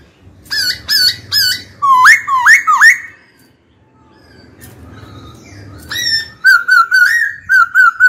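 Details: Caged black-throated laughingthrush, kept and trained for singing, calls a rival to fight with rapid ringing whistled notes, upslurred loops and a steady repeated phrase, with faint low background hum.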